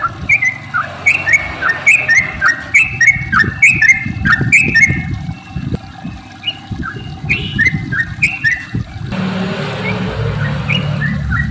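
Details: Long rolling song of a sooty-headed bulbul, played as a lure so other bulbuls start singing: short liquid whistled phrases repeated roughly every half second, some dipping then rising, with background rumble and a hissy patch near the end.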